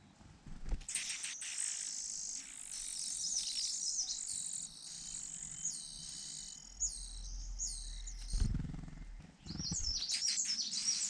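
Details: Rufous-bellied niltava at a nest in Yunnan, China, giving fast, thin, high chirps in dense runs. Low thumps and a soft rumble of background noise are also heard.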